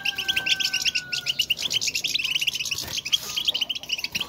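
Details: Goldfinch contact twitter, the presence call birds exchange in the wild: busy, high, clipped chirps in rapid series, with a faint steady whistle-like tone underneath during the first second and a half.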